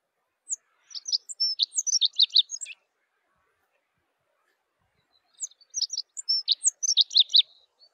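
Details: Rock Bunting (Emberiza cia): two quick high-pitched phrases of thin, sharp tzi notes and short buzzy trills, each lasting about two seconds and separated by a long silent gap, in a clean recording with no other sounds.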